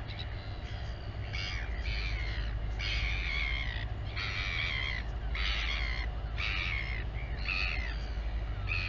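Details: Royal albatross at a colony on Taiaroa Head near Dunedin, New Zealand, as the mother feeds her chick: a quick run of harsh, buzzy bursts, about four per second and uneven, over a steady low hum.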